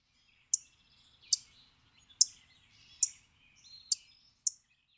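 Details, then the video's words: Field Sparrow (Spizella pusilla) song: six sharp, high notes spaced just under a second apart, the last coming sooner, like a bouncing ping-pong ball, with faint thin whistles between; sings even on hot summer days from hedgerows over shrubby pasture. "Field Sparrow"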